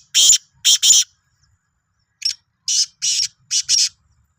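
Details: Black francolin of the Sindhi type giving its grating call: three harsh, buzzy notes in quick succession, a short pause, then a second phrase of five rasping notes. The background is otherwise quiet.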